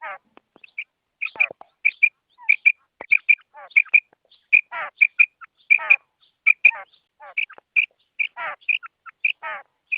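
A female quail gives rapid, high, clipped notes in quick clusters, mixed with buzzy descending rasps, repeated irregularly throughout.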